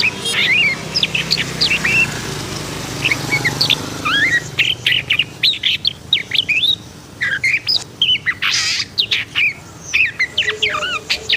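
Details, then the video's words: Emotional long-tailed shrike pouring out a long, busy song of slurred whistles and scratchy chatter, with one prominent harsh, ringing burst near the end. "KICAUAN BURUNG PENTET HITAM PUTIH & EMOSI"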